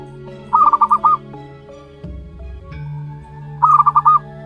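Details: A local wild-type zebra dove aged one month gives two quick, evenly pulsed coo phrases three seconds apart, backed by steady music.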